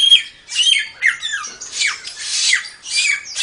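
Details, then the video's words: Samyong singing actively, used as a training recording for songbirds: a dense run of harsh, squawky phrases with quick downslurred notes, repeated about twice a second in the high register. "Suara Burung Samyong"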